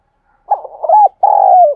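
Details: Spotted dove used as a decoy to attract wild doves, giving one soft low coo phrase: a rough fluttering start, a short hoot, then a longer sustained coo that sinks at the end.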